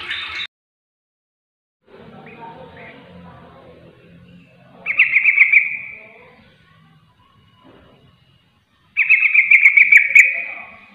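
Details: Yellow-vented bulbul (trucuk receh) calling others that answer back: two loud bubbly, rapidly pulsed chattering phrases about four seconds apart, with quiet muffled background sound and silence between.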